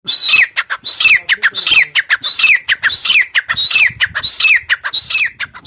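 Grey francolin calling loudly in shrill, repeated phrases, each a harsh squawk with a high, falling whistled note, about one and a half per second.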